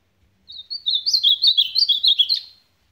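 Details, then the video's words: An Ultramarine grosbeak of the supapo song type sings one rich, warbled phrase of about two seconds: quick sweet notes that rise and fall, then slide lower toward the end. "AZULÃO SUPAPO"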